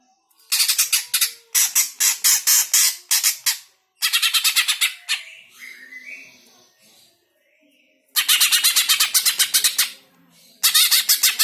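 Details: Greater green leafbird song used to stir other cage birds into singing: long loud bursts of rapid, scratchy chattering phrases, pausing briefly, then resuming with a softer warbled passage in between.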